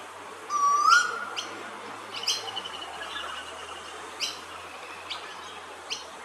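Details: Male Eastern koel recorded at Hervey Bay, Queensland, gives a single clear, rising whistled note, followed by several sharp, high clicks or chips spread through the rest of the clip.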